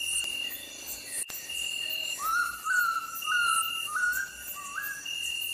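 Oriental bay owl giving five mournful, slightly rising whistles, each about half a second apart, over a steady high insect drone.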